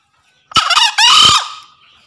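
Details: Green junglefowl male calling a rival with a single loud crow: a rough stuttering opening syllable followed by a longer harsh, drawn-out second part that fades away.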